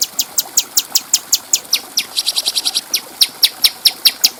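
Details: Bulbul song for teaching other cage birds: a steady string of sharp, very high-pitched chip notes, about four or five per second, each bright and clean against a faint hiss.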